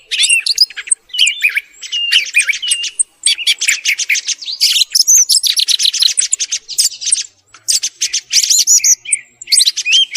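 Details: Thrush singing in the morning, a recording used to lure birds when hunting; long rich stream of fast trills, rattles and clear rising whistles, almost unbroken, pausing briefly twice.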